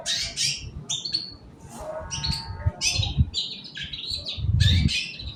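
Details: In the morning a long-tailed shrike sings to stimulate other birds: harsh squawky bursts and buzzy chatter, a brief softer warbled passage midway, with low knocking and handling noises underneath.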